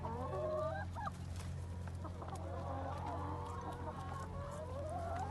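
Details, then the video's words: Free-range chickens inside a chicken shed on a farm keep up a steady, overlapping chatter of short clucks and drawn-out nasal calls over a constant low mechanical hum. They are noisy, chatty and inquisitive. "as you can hear the chickens are really quite noisy they're quite chatty little souls"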